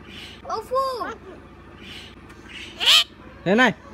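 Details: Common myna talking with its owner, copying human speech: two arched, voice-like harmonic phrases, then a loud, harsh, high squawk and a final strained speech-like syllable, with quiet background hum between.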